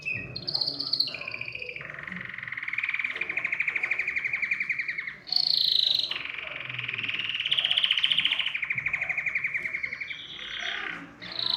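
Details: Canary song with long sustained rolling trills that rise and fall in pitch, broken by brief high whistled notes and a short pause midway.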